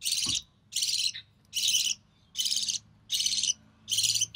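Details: Captive recessive pied budgerigar chick, hatched early June 2020, fed by its mother; six rough, hissing rasps evenly spaced about 0.7 seconds apart over a faint background hum.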